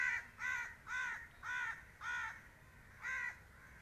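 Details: Black francolin calling: a series of harsh, grating, harmonic notes, each about a quarter second long, repeated roughly twice a second with one longer pause, over a soft rumbling background.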